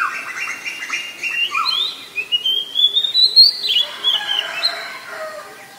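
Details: Oriental magpie-robin singing in the wild: a rich, varied run of whistled phrases with rising and falling slides and a long upward-sweeping note near the middle, loud and clear, with no other sounds.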